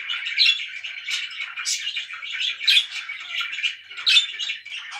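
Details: Very loud budgies kept as pets, producing a dense, scratchy warble with sharp high chirps popping out every second or so.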